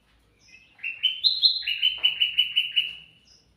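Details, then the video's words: Sooty-headed bulbul singing actively, used to lure birds: the phrase starts with short whistles, climbs to a higher pair of notes, then settles into a rapid burst of about nine clipped, repeated chirps. "suara burung kutilang mas gacor cocok buat pancingan"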